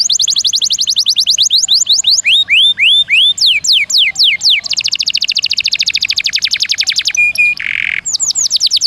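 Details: Canary pouring out rolling song for magpie robin training: rapid descending whistles, upward slurred notes, a long fast trill, then a thin pure tone and harsh buzz.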